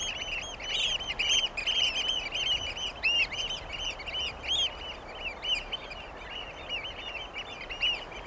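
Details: Dense, excited piping of Eurasian oystercatchers, loud shrill arched notes tumbling over one another almost continuously for eight seconds, with faint background hiss.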